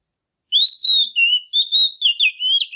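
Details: Female oriental magpie-robin singing loud, clear whistled phrases that waver and slide, delivered as rapid bursts with brief breaks, with high thin overtones and a silent background.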